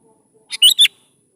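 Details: Sooty-headed bulbul singing to lure young birds into answering: a soft breathy lead note followed by two loud, warbling whistled notes, brief and bright.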